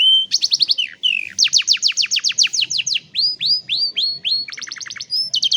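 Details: Canary singing as training for young canaries, captured on a phone: fast series of down-slurred whistles and rising sweeps, each phrase repeated several times before changing, bright and loud.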